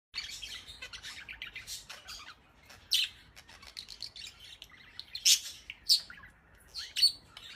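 A budgerigar chatters in a busy run of high chirps, clicks and scratchy warbles.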